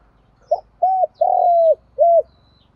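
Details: Spotted dove calling to provoke rival doves into cooing and fighting, cocks and hens included. One short note, two arched coos, a long level coo and a final arched coo over a faint low hum.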